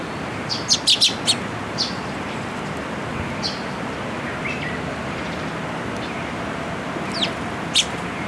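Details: Eurasian tree sparrow fledglings that came to a post to be fed, at Tenmangu shrine, 28 May 2022; short sharp high chirps clustered near the first second, then scattered single chirps, over steady broadband background noise.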